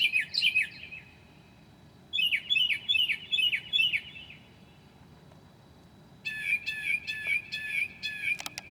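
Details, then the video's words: Mockingbird singing at 2:00 a.m. on 9 July 2008, mimicking other species: varied phrases in distinct blocks, first slurred falling notes, then a quick run of repeated sharp notes, then harsh, buzzy, grating calls, over a constant low background hiss. "HIGH QUALITY AUDIO of a Mocking bird at 2:00 A.M."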